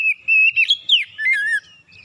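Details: Kacer (oriental magpie-robin) in morning song, used to coax quiet birds into singing, pouring out varied learned phrases: a long level whistle breaks into quick twisting notes, ending in a drawn-out falling whistle.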